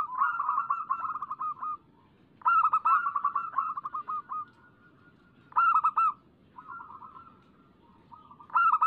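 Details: Local zebra dove singing as a lure to make other doves sing: bursts of rapid, stuttering, high trilled coo notes, each phrase a quick run of clipped pulses lasting about one to two seconds, separated by short pauses, over faint background hiss.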